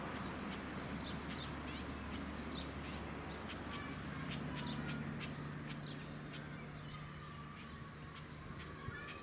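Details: White-breasted woodswallow on the Sunshine Coast, Queensland, in October 2020, giving short, harsh chirps and sharp ticking notes in quick succession, over a steady low mechanical hum.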